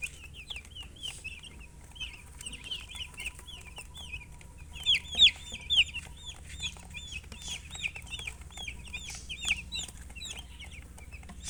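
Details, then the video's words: Several baby chicks chirping almost nonstop, a busy stream of short, high, downward-slurred peeps, louder for a few calls near the middle, over a faint low hum and a thin steady tone. "Witty MURGI Baby "Chicks Chirping" Sound"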